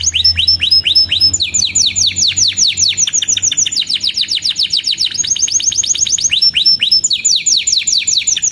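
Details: Constantly singing canary, recorded as a lure and tutor for young birds learning song: a loud, unbroken series of fast, high, down-slurred chirps, changing phrase every second or two.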